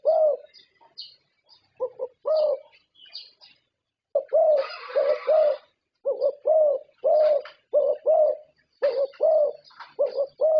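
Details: Thai champion zebra dove, prized in competitions, cooing in repeated low phrases of short, rounded notes over about ten seconds, one brief burst of rustling noise midway, faint high chirps throughout.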